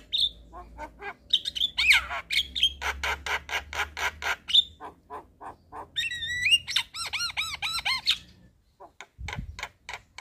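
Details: Evening song of a black-winged starling for training young birds: whistled notes, then a steady series of harsh rasping clicks and a run of arched, looping whistles.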